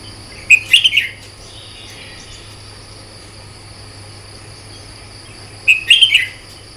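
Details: Two separate quick warbled phrases from a red-whiskered bulbul trained for morning contest singing, about five seconds apart, each a bright tumble of whistled notes, with a faint steady hiss and hum between them.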